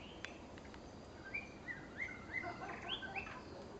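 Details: Female white-rumped shama: a few soft clicks first, then a sequence of about seven whistled upslurred notes, evenly paced, against a quiet hissing background.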